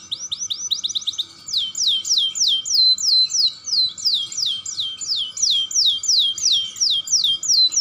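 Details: Very young canary in full, energetic song, recorded to spur other canaries to sing; loud rolling high notes, each a sharp downward slur, delivered in rapid repeated series that speed up at the start, with a faint steady tone underneath.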